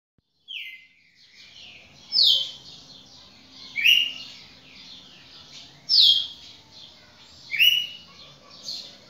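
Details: A champion red-cowled cardinal (galo-de-campina) sings loud, bright whistled phrases with quick sweeping notes, about one burst every two seconds, over soft chatter from other birds; recorded 1 October 2019.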